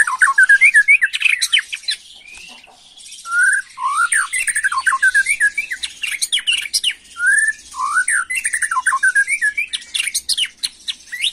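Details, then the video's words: White-rumped shama singing excitedly in 'macul' style to provoke young birds: varied fluty whistles, rising slurs and fast chattering runs, mixed with scratchy high buzzes, in long energetic phrases. "Murai Batu emosi Gaya MACUL‼️pancing emosi BuruNG Muda"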